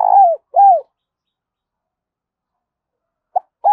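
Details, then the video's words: Spotted dove decoy calling to bring others in for trapping: two low, rounded, downward-curving coos, a long silence, then a quick note and the start of another coo. "Tiếng chim cu gáy mồi gáy gọi vang cả xóm làng"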